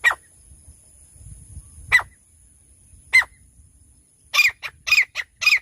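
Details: Francolin, described as a female bush-dwelling bird, gives three single harsh, sharp notes about a second apart, then a rapid burst of loud, rasping calls repeated several times a second, over low rumbling background noise.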